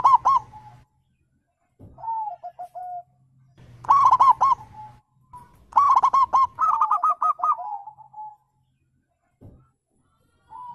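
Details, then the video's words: Wild zebra dove, local and Bangkok types, calling to lure other birds into answering: bursts of rapid stuttering notes run into drawn-out, slightly falling coos, several phrases separated by short silences. "panggilan perkutut liar, Putar cukup 3menit dijamin semua burung langsung nyaut"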